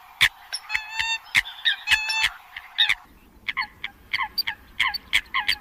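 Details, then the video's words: Eurasian coot calling in bursts of short, nasal, honk-like notes with bright overtones. Sharp clicking sounds come between calls, and a low rumble enters in the second half. "tiếng chim sâm cầm"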